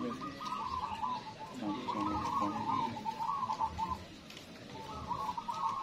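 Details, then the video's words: Zebra dove song at a local singing contest: rapid, warbling, trilled coo phrases repeated in bursts with a brief pause midway, low purring undertones, and constant crowd-like background noise. "LOMBA PERKUTUT LOKAL"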